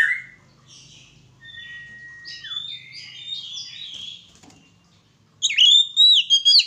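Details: White-rumped shama during a mating pairing, singing a long flat whistle followed by varied warbled phrases, a short pause, then loud sharp high notes in quick bursts.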